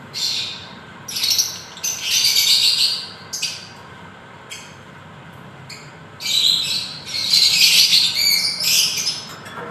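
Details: Lovebird chirping in loud, harsh bursts of high, noisy chatter lasting about one to two seconds each, separated by quieter pauses, with a faint steady background hum.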